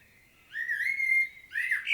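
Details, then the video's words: Common blackbird in Świnoujście, Poland, 25 September 2022, giving a sustained clear whistle held steady for almost a second, then a short rising fluted note. "Blackbird's solo"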